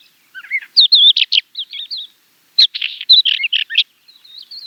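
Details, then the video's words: Two rapid song bursts from a Finsch's wheatear, a mix of harsh rasping scratches and musical whistled notes, trailing into soft high twitters; no other sounds. "Finsch's Wheatear - Songs"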